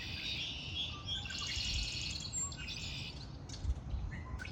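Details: Birds singing in spring: dense, high chattering and twittering phrases run almost without pause across the whole stretch, over a steady low rumble.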